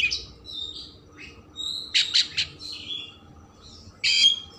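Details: Oriental magpie-robin, kept songbird, song intended to stimulate emotion and tail opening: quiet scattered whistles, a burst of loud rasping notes, then a final harsh phrase.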